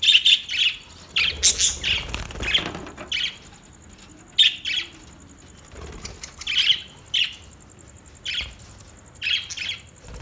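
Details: Budgerigar calling: bursts of bright, scratchy chirps and squawks in short clusters, repeated irregularly over several seconds, with faint soft rustling between.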